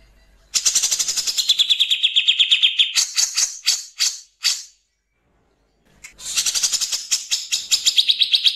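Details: Grey-cheeked bulbul, a natural recording of harsh 'nembak kasar' song with pauses, made to tutor and provoke caged songbirds: rapid grating pulses in a two-second run, spaced raspy notes, a gap of about a second, then another fast chattering burst.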